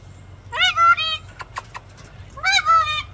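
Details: A rescued female Moluccan (Salmon-crested) cockatoo performing her self-developed act gives two drawn-out, nasal calls, each rising then holding steady, about two seconds apart, with soft clicks and a low hum between.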